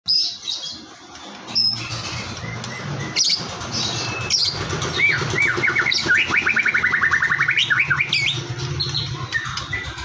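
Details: White-rumped shama singing in the morning, used as a lure to get birds singing: varied whistled phrases, then a fast rising trill of repeated notes, with steady low humming tones underneath.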